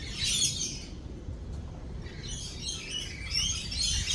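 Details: Lorikeets during thunder and lightning: a burst of piercing screechy chatter, a brief lull, then more overlapping shrill calls against a low steady rumble.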